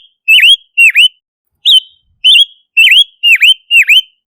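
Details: Silver-eared mesia (Leiothrix argentauris), song.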